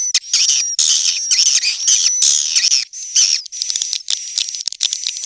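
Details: "Tombak raja" swiftlet lure sound for swiftlet farming: long, almost continuous streams of high buzzy chattering with a thin whistled overtone, repeated about twice a second, loudness dipping in between.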